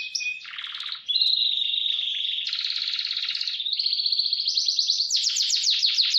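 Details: Energetic canary roll for tutoring young birds: a short whistle and low buzzy rattle, then long steady trills that shift pitch step by step, ending in fast high rolling notes.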